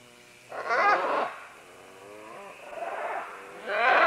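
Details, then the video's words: Several green-winged macaws climbing down vines, close by: a loud harsh raucous squawk, a softer wavering nasal call, then another loud grating squawk starting. "Green-Winged Macaw. MCU - MD Calls From Several As They Descend Along Vines To"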